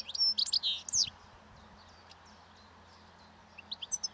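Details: Wild European goldfinch feeding on last year's thistle seeds by a roadside as spring nears, giving breeding song: a quick burst of bright, high twittering notes, a near-silent pause, then a few more sharp chirps.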